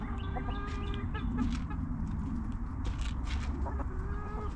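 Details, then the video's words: Hens in a backyard coop giving drawn-out, harmonic clucking notes that come and go, with scattered scratchy rustles and a constant low background hum. "Hens Clucking!"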